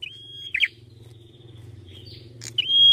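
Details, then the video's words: Red-headed prinia singing: one long level high whistle ends in a buzzy twist, then a short pause, a quick chirp, and the start of another sustained whistle, over a steady low hum. "KECIL BERSUARA MERDU !! BEGINILAH GACOR MAKSIMAL PRENJAK KEPALA MERAH"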